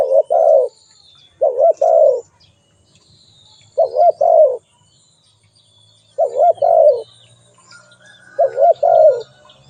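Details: Spotted dove giving five soft two-note coos at uneven intervals, each a short hooked note then a drawn-out wavering one. A low hum and faint high chirps sit in the background.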